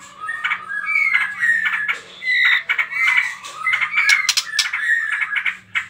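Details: White-rumped shama song intended to provoke other birds to sing: clear slurred whistles and harsh chattering notes alternating in short phrases, over a faint low hum.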